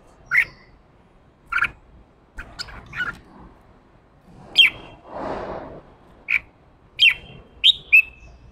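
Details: A wild-caught male red-whiskered bulbul, kept caged and urged into 'ché' fighting song, delivers clipped whistled chirps spaced about a second apart. A brief soft rushing noise is heard midway.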